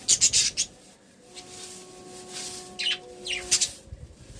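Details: Happy budgerigars give sharp, high chirps in quick clusters at the start and again near the end, with faint squeaks in between.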